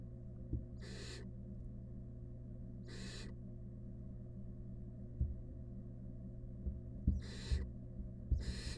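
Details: Wild barn owl at a monitored nest box with rat prey. Four harsh, hissing, broadband bursts of about half a second each, two early and two near the end, over a steady low electrical hum and a few soft thumps.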